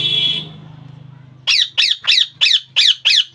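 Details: A sustained tone and low droning hum fade out, then a pet rose-ringed parakeet bursts into a fast series of seven grating squawks, about three per second.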